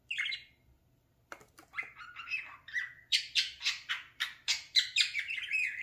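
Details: Pet parakeet talking while playing in front of a mirror: a single squawk, a pause, then quickening chirps and scratchy chatter repeated almost twice a second, growing louder toward the end.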